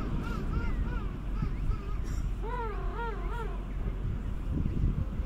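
A penguin gives a string of short, nasal, arching notes, then a louder run of wavering, bray-like calls, over a steady low rumble of wind.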